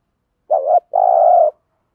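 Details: Single spotted dove phrase used to prompt decoy birds into cooing: a brief wavering note followed by a longer, steady, hollow coo lasting about half a second.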